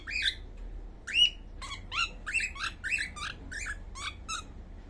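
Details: Baby cockatiel making sounds while sleeping: a run of short, rising chirps repeated roughly every half second, each bright and slightly buzzy, in a quiet room.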